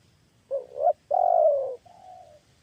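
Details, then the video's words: Luring turtle dove giving a single deep cooing phrase: a brief rising two-part note, a long loud rolling coo, then a quieter trailing coo fading away. "Tes Pikat Baru Tekukur Suara Besar Sedap"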